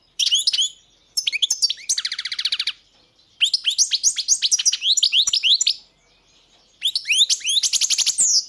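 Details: European goldfinch song: rapid bursts of high twittering notes with sweeping slurred chirps, and a buzzy trill near 2 s, broken by short silent pauses.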